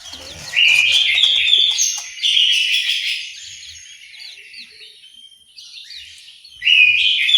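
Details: Orange-headed thrush singing in an aviary in Malang, East Java, with loud, high, varied warbled phrases that come in bursts and break off between them. A softer stretch sits in the middle, and faint low background noise runs throughout.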